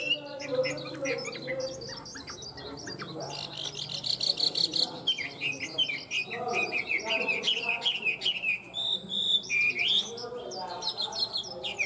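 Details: Caged tame Chinese hwamei singing well: busy, fast sequences of high chirps, buzzy notes and whistled slurs, varying throughout, with some lower background sounds.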